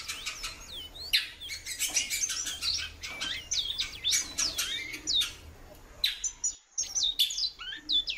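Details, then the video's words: Female great-billed seed finch calling a lot: thin swooping whistles, several per second, among loud sharp clicks and rustles, with a short quiet gap near the end. "FÊMEA DE BICUDO PIANDO MUITO"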